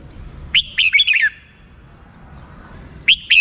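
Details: Red-whiskered bulbul singing a short, lively phrase of four or five quick up-and-down slurred whistles, a pause, then the start of another phrase.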